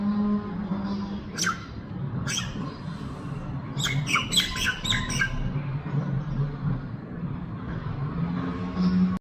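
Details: On a rooftop, a common myna eating fresh milky corn gives a few harsh squawks, then a quick burst of chattering, creaky notes while feeding, over a steady low rumble of traffic.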